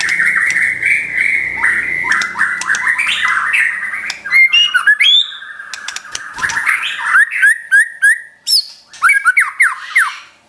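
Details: White-rumped shama song in the rapid trotol style, used as a training and provocation recording for pet shamas: a dense run of whistled notes around the middle pitch, rising slurs and sharp clicks, ending in short upswept phrases.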